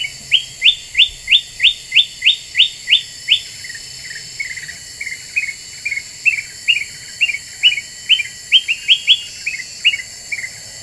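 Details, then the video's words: Black-winged bulbul lure recording said to rile other birds: opens with a rapid string of about eight sharp, rising chirps, followed by lower, softer twittered notes and further bursts of bright chirps. "Suara Pikat Kutilang Emas Super Gacor,,Bikin Burung Lain Pada Emosi"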